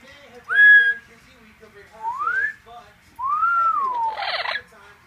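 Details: Pet double yellow-headed amazon wanting attention indoors: three clear whistled notes, the first short and steady, then two rising-and-falling slurred whistles, the last ending in a brief harsh rasp.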